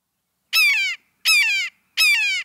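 A Red-shouldered Hawk gives three loud, harsh, down-slurred screams, one about every three-quarters of a second, with silence between.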